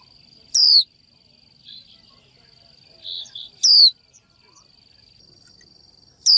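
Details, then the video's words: A female warbling (Japanese) white-eye calls to a male with thin, very high 'chiu' notes that sweep steeply downward, about every three seconds, over a steady high-pitched whine. "Chim vành khuyên mái chíu gọi trống"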